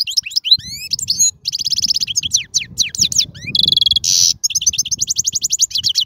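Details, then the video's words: Song of a wild European goldfinch, used to train young birds. Rapid twittering phrases mix sweeping whistled notes, dense chattering runs and one harsh nasal buzz before the song returns to bright, quick twitters. "من أقوى اغاني | طائر الحسون | البرية"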